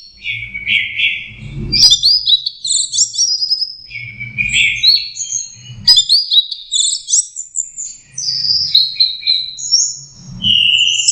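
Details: Young orange-headed thrush learning to sing: a continuous run of varied whistled and warbled phrases, some low sliding notes alternating with high thin twitters, with brief pauses near two, six and ten seconds; faint low hum beneath.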